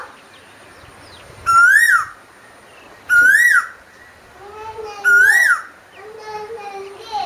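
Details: Asian koel song, three loud rising whistled notes about every one and a half to two seconds, each swelling upward then falling away, over softer background bird calls.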